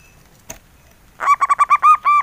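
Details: Mellow engkel song from a local male zebra dove: a faint click, a pause, then a burst of rapid stuttered coos that settles into longer, steady hooting notes.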